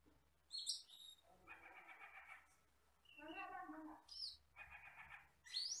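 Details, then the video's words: Song of a skittish, jet-black, red-eyed Asian glossy starling: high piercing whistles alternate with buzzy, harmonic chattering phrases and a drawn-out rasping section in the middle. "MASTERAN BURUNG HUTAN CAMPERLING (CUCAK KELING)"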